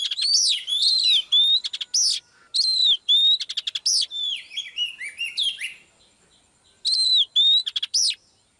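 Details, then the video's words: Female Oriental magpie-robin singing to stimulate a male: loud slurred whistles and clicking chatters in steady phrases, then about a second of quiet before the clear whistles return. "chòe than mái KÉO TRỐNG LÊN ĐIỆN"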